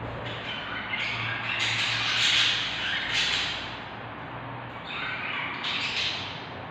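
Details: Newly hatched budgerigar chicks inside a nest box give a steady stream of raspy, high squawking calls that overlap and rise in bursts.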